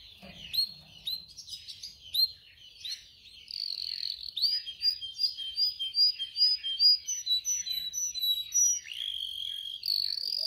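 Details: Training song of a canary: a few separate upward-flicking chirps, then a fast run of clipped repeated notes about twice per second, and a final loud whistled note.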